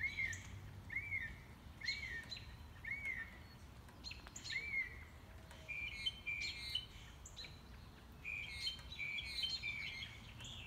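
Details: Enthusiastic unseen mockingbird on a morning walk, cycling its repertoire: a slurred whistled phrase repeated about every second, then switching to faster buzzy, chattering notes, light background noise.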